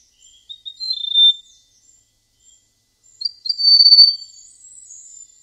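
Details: Golden prinia, a prinia described as unlike other prinias and singing in a sweet, flute-like way, gives two short high whistled phrases, the second longer and slightly higher with a faint thin note trailing after it; otherwise quiet.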